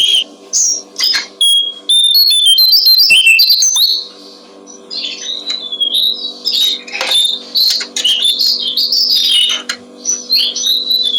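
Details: Tutoring recording of a Brown-streaked flycatcher for songbirds. Quick high chirps and whistles pour out in a busy opening, followed by repeated short bursts of twittering notes spaced by brief gaps. A low hum is constant beneath.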